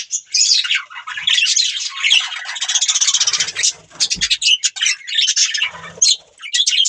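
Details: Busy budgerigar warbling, an almost unbroken stream of high chirps and rasping chatter, with a brief lull before the chattering resumes.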